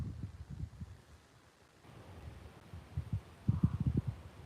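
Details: Low, irregular thumps and rumbling bumps, like microphone handling, with no animal calls.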